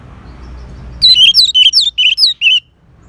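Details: Song of an orange-headed thrush. Quiet low hum gives way to a sudden phrase of about seven clear, slurred whistles, each bending down and up. Evenly spaced and very loud, they end abruptly after about a second and a half.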